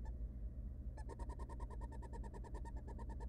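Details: Hungry wild barn owl nestlings, three in a research nest box, being fed by their mother: after a second of hum, a fast, even run of harsh ticking notes starts and continues.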